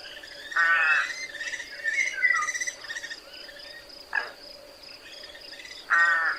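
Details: Rook producing three scattered raspy caws with low gurgling chatter between, over a steady faint hum.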